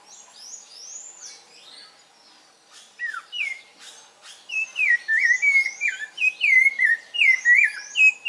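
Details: Rufous-bellied thrush kept by its owner, singing a varied song of clear whistled phrases rising and falling, repeated about every half second, with softer high chirps from another bird in the background.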